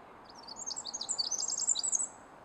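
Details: Pacific wren in the forest undergrowth of Pacific Northwest woods near a road. It gives a rapid, very high, tinkling song of jumbled trills and twitters, lasting about a second and a half, over a faint steady background hum.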